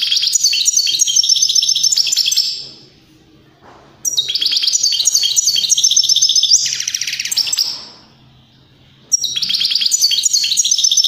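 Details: European greenfinch singing in three loud bursts of rapid, high trilled phrases that step downward in pitch, separated by short silent pauses of about a second and a half.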